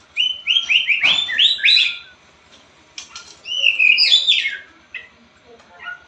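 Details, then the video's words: White-rumped shama in full song; a rapid series of loud rising and falling whistled phrases, a pause with a few sharp clicks, then another burst of rich warbled whistles and scattered softer notes. "Murai batu gacor"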